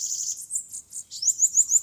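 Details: Bananaquit in a fight with a rival at a trapping contest in Maceió: a brief high buzzy note, then a run of sharp rising chips repeated about every seven hundredths of a second.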